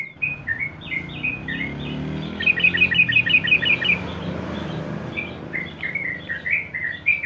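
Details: Sooty-headed bulbul singing in the long-duration ropel (ngeropel) style, a tutor recording meant to coax untrained birds into ropel singing: slurred whistled notes, then a quick burst of about ten rapid repeated notes, then more whistles over low hum.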